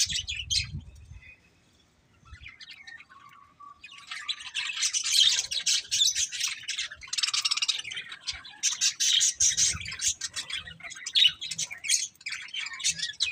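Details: Budgerigars chirp and chatter, a quiet start giving way to dense, continuous warbling and scratchy squawks that run to the end.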